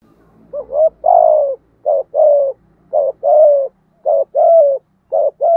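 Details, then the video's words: Decoy spotted dove cooing to lure wild doves: repeated two-part phrases, a short clipped coo then a longer, falling, throaty coo, about one phrase per second, against a quiet background. "chim cu mồi thúc gù bài bản nhất hiện nay, chim cu gáy kích bổi hiệu quả nhất hiện nay"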